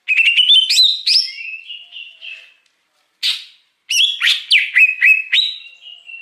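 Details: Luring song of a wild Greater Green Leafbird: rapid chattering whistled phrases gliding downward, a short buzzy burst after a gap, then repeated loud slurred whistles and a trailing steady note, no other sounds.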